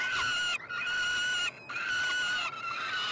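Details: Begging peregrine falcon chicks at a feeding, Université de Montréal nestbox, Quebec, Canada, June 2022. Loud, steady, strained screams of about a second each, separated by very brief breaks.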